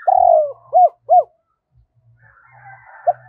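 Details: Decoy spotted dove calling to lure wild doves: one long falling coo, then two short arched coos in quick succession, followed by a faint rougher sound and a last brief coo.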